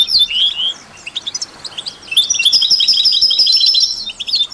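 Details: European goldfinch singing with canaries and mule hybrids to stimulate songbirds: sliding whistled notes, a few spaced chirps, then a sustained stretch of fast ringing trills.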